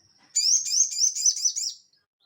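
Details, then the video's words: A crested jay gives a dry, buzzy rattle lasting about a second and a half, made of six or seven quick high pulses, with nothing else heard. "SOGON GACOR NGELEPER"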